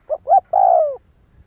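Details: Spotted dove call used to provoke other doves into calling: a short low coo, a louder rounded second coo, then a long drawn-out note sliding gently downward, all low-pitched and clean against a quiet background.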